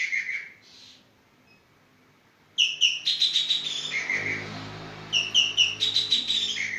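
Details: Javan green magpie calling energetically. Opening lower whistles, a pause, then fast trains of ringing, harmonically rich notes mixed with longer falling whistles, continuing to the end.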